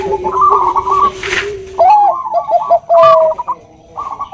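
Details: Female Bangkok-type zebra dove calling to a male with the nutut sound: pure cooing notes in wavering, stepped phrases, with overlapping low steady tones and other doves cooing alongside.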